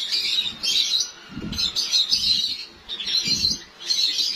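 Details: White Java sparrows kept in a cage breeding colony in Lahore, Pakistan, as breeding season is about to start; bright high chirping phrases come in bursts roughly every second and a half, with low soft dove coos underneath.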